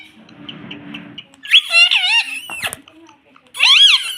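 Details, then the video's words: Pet young Indian ringneck parrot: a soft murmur of room noise, then loud, wavering squawked speech-like notes, a short gap, and a final harmonic chattering burst. "Indian Parrot talking || baby parrot sound || parrot talking || mummy bolne wala tota"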